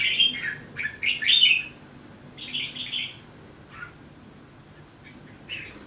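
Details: Red-whiskered bulbul song: a cluster of quick chirps and a warbled phrase, a steadier phrase a second later, then scattered short notes, loud and close.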